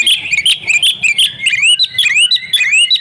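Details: Female Oriental magpie-robin lure call to prompt silent males: fast chattering chirps that turn into a run of rising, whistled slurs, loud and close.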